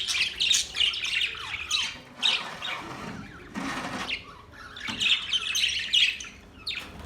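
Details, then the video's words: Budgerigars singing, described as a mating call: dense, scratchy warbled chatter in quick overlapping bursts with short pauses, joined by a few lower rustling noises. "Budgies birds singing"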